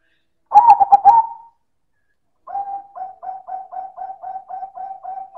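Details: Silver zebra dove (perkutut) in loud manggung song: one strong, rolling coo burst, a short pause, then rapid, steady, soft coos repeated about four times a second.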